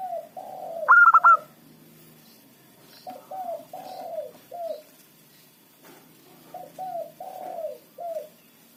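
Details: Local zebra dove used as a lure to attract rival birds. It opens with one loud, pulsing four-note phrase. A long run of soft, low, falling coos follows in small groups, over a faint hum.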